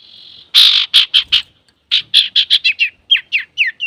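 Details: Male common iora singing vigorously for provoking and tutoring other birds: a rapid series of loud, rich chattering notes, then quicker clipped whistles that slur downward, repeated about four times a second.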